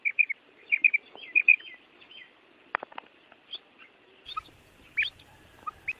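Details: Female quail calling during the breeding season, a call used to get male quail calling. Soft, high, whistled notes come in quick pairs and threes at first, then only scattered faint notes and clicks.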